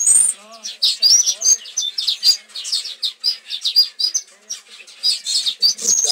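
Long-tailed paradise whydahs give a busy stream of thin, high chirps and twitters, several notes a second, with faint lower sounds early on.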